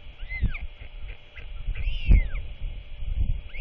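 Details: A royal albatross chick, talkative while its father visits to feed it just before dark on 27 March 2024, gives two drawn-out, arching squeals amid strong buffeting wind.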